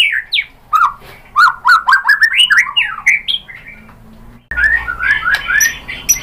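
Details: White-rumped shama singing to provoke a response, a lively series of swooping whistles and chattering notes mixed with sharp clicks, followed after a cut by softer warbled phrases.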